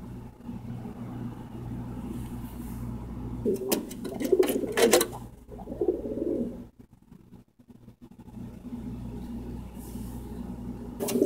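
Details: A pigeon perched on top of a heating duct gives low, throaty coos in a short burst midway, with sharp knocks and clatter over a steady mechanical hum.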